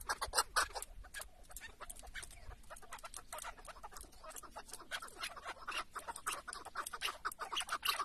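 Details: Softer, more distant-sounding bursts of harsh chuk clucks from a chukar partridge kept as a tethered decoy during a hunt in Şırnak, Turkey, coming in uneven groups against a quiet background.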